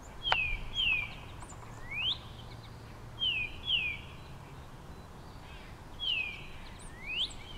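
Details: Male northern cardinal singing to his mate: clear whistled notes that slur downward, often in pairs, with a few rising slurs, in phrases separated by short pauses, over a steady low background hum.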